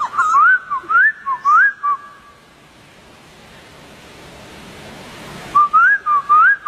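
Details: Wild White-crested Laughingthrush whistling a few looping, rising notes, followed by a long quiet stretch with faint hiss before a fresh burst of similar whistles.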